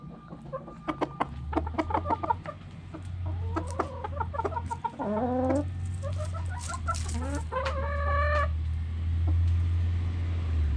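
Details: Backyard hens clucking: rapid sharp clucks quickening into rising, stepped cackling phrases, repeated about three times a second, over a steady low hum.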